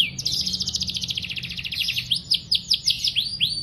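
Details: Canary singing a long training song meant to prompt young or silent canaries: a fast dense trill of clipped high notes that shifts into slower repeated downward-swooping whistles near the end, over a faint low hum.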